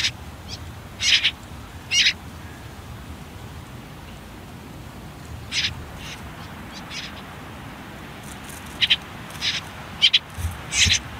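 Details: Common whitethroat (Sylvia communis) well-grown nestlings on their last day in a nest near a river, hidden under reeds and nettles: harsh, hissing begging rasps in short bursts, few seconds apart, then bunched near the end, quiet background.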